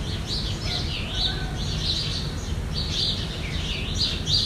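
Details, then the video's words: Brazilian Jandaya parakeets (Aratinga jandaya) keep up grating, shrill screeches in uneven clusters, some notes sharply pitched, over faint background rumble. "JANDAIA VERDADEIRA"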